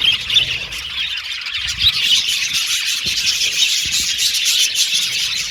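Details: Aviary budgerigar colony, caged, singing and chirping: rapid, tightly packed high chirps and chattering warbles from many birds, with sharp squeaky notes standing out and low thumps of cage movement.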